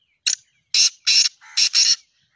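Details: Black francolin, known locally as kala teetar, dated 2-1-2024: a quick five-note grating call, one short scratchy note then four loud rasping notes, with faint thin chirps of small birds before and after.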